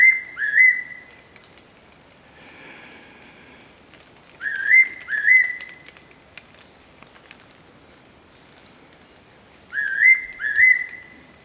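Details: Fairy Pitta singing in 2022, during its arrival season: clear whistled phrases of two quick notes, each ending in a short level whistle, repeated about every five seconds with quiet gaps between.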